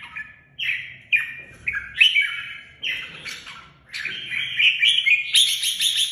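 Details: Singing red-whiskered bulbul, a cage bird from Vietnam: short downslurred whistles roughly once per second, building into a denser, brighter warbled phrase at the end.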